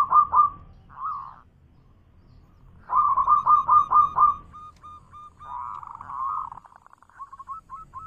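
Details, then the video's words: Zebra dove of local type in manggung song: bursts of fast cooing notes separated by pauses, ending in soft spaced single notes. "Suara Manggung Perkutut lokal gacor suara keras"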